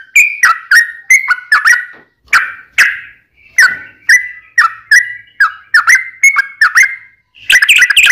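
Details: Sooty-headed bulbul in a provoking fight song: separate downslurred whistled notes, each clearly spaced, with a brief pause, then a busy chattering burst at the end.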